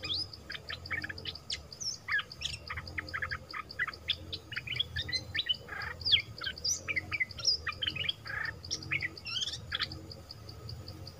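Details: Wild flowerpeckers arriving as a family group give dense bursts of sharp, high, clicking chirps and short twitters. Calls overlap throughout without pause, over a steady, regularly pulsing high insect-like tone.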